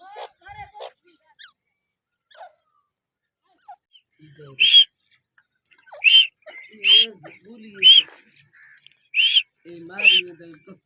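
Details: Grey francolin (teetar) calling. After brief speech and scattered faint sounds, loud piercing high notes begin, six sharp calls repeated roughly every second in an uneven series, with low murmurs between them.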